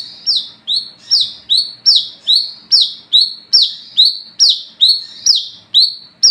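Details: Night-time singing of an olive-backed sunbird (wiceh), used to draw in and train others of its kind: bright high descending whistles, each opening with a quick upward flick, repeated rhythmically more than twice a second.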